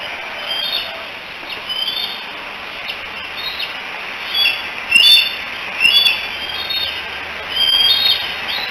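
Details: At the Decorah eagle cam on 16 July 2018, three young bald eagles hang out and call, probably for their mother: soft high peeps early, then louder sharp squeals around the middle and near the end.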